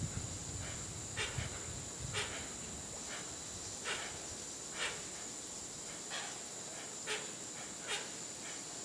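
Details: Hoatzin at Tambopata National Preserve, Peru, recorded in 2014: short, harsh, hissing bursts repeated at uneven intervals, roughly one a second, over a steady high insect drone.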